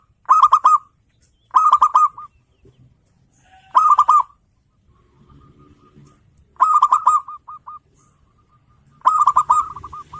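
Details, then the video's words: Zebra dove from local stock singing loudly to goad rivals: five strong, fast rolling coo bursts spaced two to three seconds apart, with a few faint soft coos and quiet background between. "Perkutut lokal gacor,suara full bocor memancing emosi lawan"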